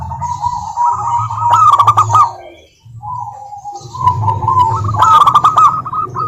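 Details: Local zebra dove singing as a lure to make other doves answer: two phrases of rising, rolling coo notes ending in quick ringing trills, with crackly clicks and a low hum beneath.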